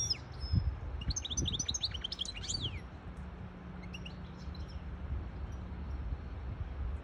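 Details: A hybrid goldfinch sings for young birds and to excite a female into mating posture: a quick cluster of high twittering notes between one and three seconds, then a few faint chirps, over low humming noise.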